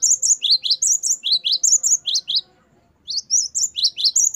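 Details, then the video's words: Great tit (gelatik batu) singing 'gacor wucit' variation for training caged birds: bright high two-note whistles repeated about three times a second, a brief silence, then the phrase starts again. "Gelatik batu gacor wucit variasi. Great tit. Singing birds."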